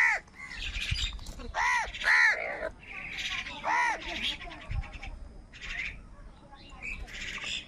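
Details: Crows fight wild birds for food on a rainy morning, giving several loud, arched, hoarse caws early on, then fainter, scattered harsh calls from other birds.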